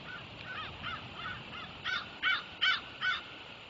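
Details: Eagle at a nest site on the afternoon of 5 November 2021, while a bonded pair works on their nest together; a run of about eight high, squeaky chirping notes that grow louder and closer together toward the end, over soft background hiss.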